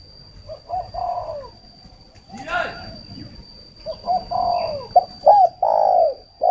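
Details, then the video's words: Spotted dove decoy bird used for luring, kept by a breeder in Ba Vi, Hanoi, Vietnam: low hollow coos in short groups, broken by a brief noisy burst, with a steady high electrical whine throughout. "Chim cu mồi"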